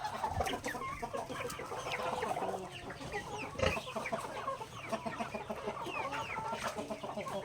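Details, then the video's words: Native chickens kept in a backyard, feeding on grains during their daily meal; dense overlapping clucks and short rising chirps from many birds, with occasional sharp pecking knocks. "Chickens Pecking Grains in the Backyard"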